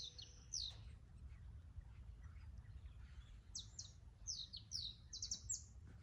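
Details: A canary delivers a high rattling trill, pauses briefly, then returns with a string of loud, fast, buzzy phrases in quick succession, steady low background rumble throughout.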